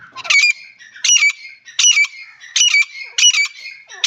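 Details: Teetar, a partridge, giving a series of six loud, grating, high bursts spaced under a second apart, joined by a thin, steady, ringing tone between them.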